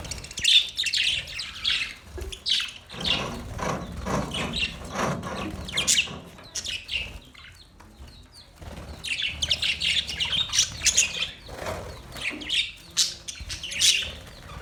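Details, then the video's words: Budgies chirp in high, scratchy bursts, go quiet for a stretch midway, then return to busy twittering and squawks. "Budgies chirping sound"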